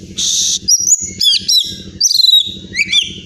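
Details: A champion competition Oriental magpie-robin from Pemalang, Central Java, Indonesia sings a fast, varied run of sweet whistles and slurred rising notes after a harsh buzzy opening burst, over a faint low pulsing hum.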